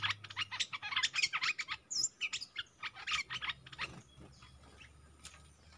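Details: Decoy Streak-eared bulbul in a cage calling to circling wild birds: a fast, dense chatter of short chirps, about three per second, fading toward the end, with a brief high whistle mid-way.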